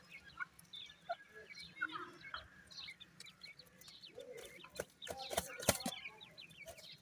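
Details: Several francolin chicks feeding at night, uttering rapid little chirps and short rising cheeps in loose bursts, with loud pecking or scraping clicks near the end and a low background hum.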